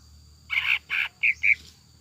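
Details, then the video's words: Greater green leafbird lure song with tengkek buto filling, meant to set a caged bird singing: two harsh, rasping notes followed by two shorter, clipped notes in quick succession, with a steady faint hum behind. "PANCINGAN CUCAK IJO GACOR JAMTROK NGEKEK ISIAN TENGKEK BUTO"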